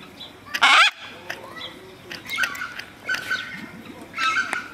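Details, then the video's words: A green and orange macaw gives a loud, harsh squawk, then several rougher, nasal squawks spaced about a second apart. "Green And Orange Macaw Sounds"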